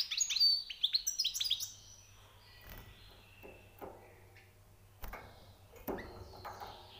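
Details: European goldfinch, a newly caught bird, singing high notes: a quick burst of bright, tinkling twitters and trills for about two seconds, then scattered faint chirps over low background hum.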